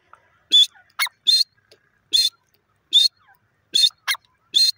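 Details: Francolin (teetar) calling loudly: harsh, buzzy bursts repeated a little faster than once a second, with short higher notes in between and nothing else in the background.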